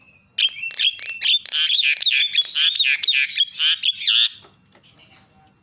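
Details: A Javan myna on a lure recording meant to make mynas call out gives a rapid run of harsh, grating, squealing notes for about four seconds, then falls quiet.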